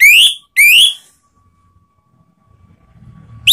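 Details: Orange-headed thrush song used as a lure to provoke rival birds: two loud rising whistles, each sweeping upward over about half a second, a brief pause between them, then quiet low background rumble before a third whistle begins.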